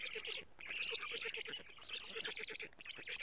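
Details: Estonian black stork nest, morning of 14 June 2017, as the female brings lampreys to the chicks; quick rasping squeals over evenly spaced, rapid knocking pulses, with a brief pause near the start.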